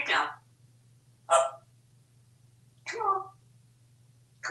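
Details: Talkative pet parrot playing waiter indoors while offered treats like grapes, cookies and corn; four short harsh bursts about a second and a half apart, each a raspy, voice-like squawk, with a steady low hum in the room.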